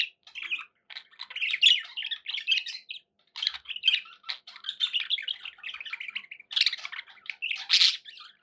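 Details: Pet budgerigars warbling almost nonstop, long strings of chirruping, buzzy and squeaky notes, with one short break and a loud squawk near the end.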